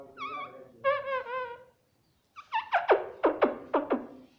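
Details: Talking parrot kept indoors and taught "mummy": a wavering, tonal phrase, a short pause, then a quick series of sharp, descending clipped notes like rapid chatter.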